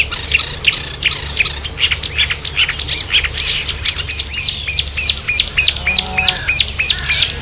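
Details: Marsh warbler in a dense, hurried song of mixed chattering notes and sharp high whistles, ending in a string of repeated quick upslurred phrases over a steady low hum.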